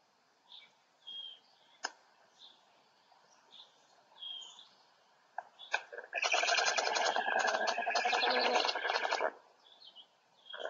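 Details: Black stork chicks at a Polish nest, 3 July 2020, calling for a parent, burst into a loud, harsh, wheezing begging chorus for about three seconds after soft chirps and whistles from other small birds; a hawk then arrived.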